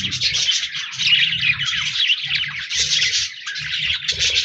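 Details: Several budgies, recorded 14 January 2024, keep up nonstop rapid chatter of bright chirps and buzzy warbled notes, with soft low thumps pulsing underneath.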